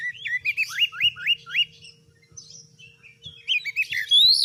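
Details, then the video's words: Oriental magpie-robin, a kept songbird in full song used as a master tutor recording, gives a run of five or six rising whistled slurs, then a quieter pause and a bright upswept whistle, with faint low hum beneath. "MASTERAN KACER GACOR || Kacer gacor tes mental burung lain agar fighter"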